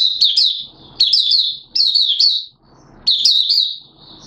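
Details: Oriental white-eye from Malaysia, caged and in minor moult, 2 April 2023, singing buka sing style: shrill, tumbling phrases of several fast chirps, about four phrases, with low rustling noise in the pauses.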